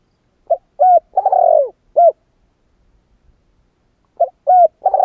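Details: Spotted dove giving its cooing phrase twice: a short soft note, a rising-falling coo, a long rough rolling coo, then a clipped closing coo, separated by a quiet pause of about two seconds.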